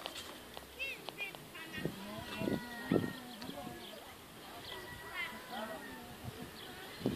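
Turkeys give rapid, gurgling warbled bursts, two or three in quick succession, over steady murmuring that sounds like people talking nearby.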